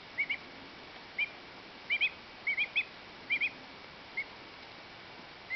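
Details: A two-week-old pet duckling gives its 'happy peep' of contentment while cleaning its feathers: short, high, soft peeps, often in pairs, spaced irregularly over a faint steady hiss.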